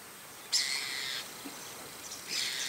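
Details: White-cheeked starling perched on an antenna in the morning, with various other birds calling around it; two loud, raspy, screeching notes, the first lasting under a second, the second beginning near the end.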